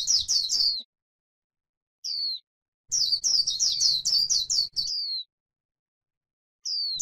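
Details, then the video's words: White-eye on grassland singing the 'líu' style: short bursts of high, quick descending chirps that run in fast chains, broken by pauses of one to two seconds, with faint low rumble beneath. "KÍCH KHUYÊN LÍU CHUẨN chim khuyên trên đồng cỏ white eye bird"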